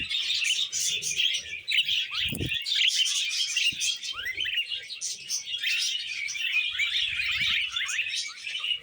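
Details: Happy budgerigars eating vegetables fill the air with nonstop warbled chatter, fast chirps and little sliding whistles, with one low bump early on and faint low rustles.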